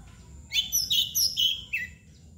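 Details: Oriental magpie-robin (kacer) delivering 'bagong'-style song during a 'nangkur' display. Rapid, loud, warbling whistles with high squeaky overtones come in about five quick bursts over two seconds, ending in a downward slurred note.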